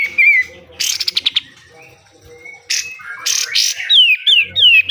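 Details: Pied triller in besetan style for caged-bird training: a brief whistle, a burst of quick stuttered notes, harsh buzzy bursts, then a series of falling whistled notes.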